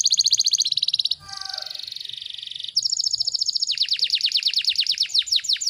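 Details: Canary song for tutoring young birds, with dense rapid phrasing: fast high trills, a buzzy rolling section, then a long run of quick descending sweeps repeated about three per second.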